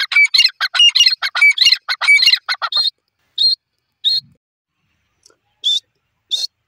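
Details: Young grey francolin calling: a rapid burst of high, thin chirps and squeaky notes over the first three seconds. Then a few separate sharp chirps follow at intervals of about a second.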